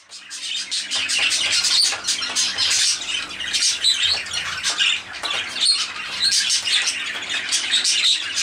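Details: Zebra finches enjoying warm weather, calling almost without pause: dense, harsh, nasal chattering notes overlapping from several birds, bright and high, with brief wing flutters among them.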